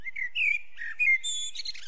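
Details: A single Eurasian blackbird phrase: a run of rich, warbling flute-like notes that wander up and down, finished by a high, strained squeaky flourish.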